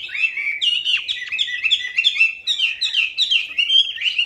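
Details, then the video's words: Lure recording of a chatty hwamei, full of varied filler phrases: fast, continuous bright whistled song of short slurred notes rising and falling, densely packed with no pauses, clean with no other sounds. "PANCINGAN WAMBI MACET"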